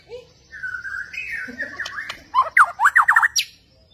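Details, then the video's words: Borneo white-rumped shama performing with bowing, energetic movements. Soft whistled phrases build into a burst of loud, rapid, sharply modulated notes near the end, with faint background voices. "Burung Murai Borneo beraksi gaya mempesona"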